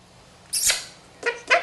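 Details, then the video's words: Quaker parrot, a male pet, practising words and phrases: a high hissing burst, a brief pause, then two clipped kiss-like smacks. "Quaker Parrot Frank Frank talks"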